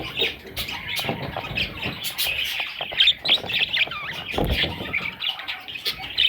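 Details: Parrot chicks calling together: dense, scratchy chirps and chatter in a steady stream with brief sharper peeps, plus occasional low thumps and handling noise.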